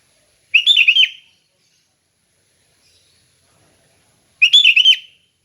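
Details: Sooty-headed bulbul singing calm ngeplong song, used for training other bulbuls: a brief, bubbly whistled phrase, silence, then the same phrase again about four seconds later.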